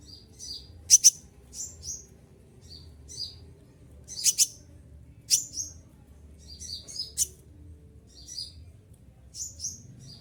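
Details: Moulting captive olive-backed sunbird keeps up its shrill 'shooting' song: a string of high tinny chirps and quick piercing double bursts at uneven intervals, with a low background rumble.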